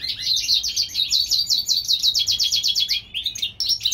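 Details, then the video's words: In spring, a European goldfinch hybrid bred in California delivers a steady chain of roughly twenty rapid, identical chirps. A few short separate notes close the phrase. "European gold finch Hybrid/ The Spring time."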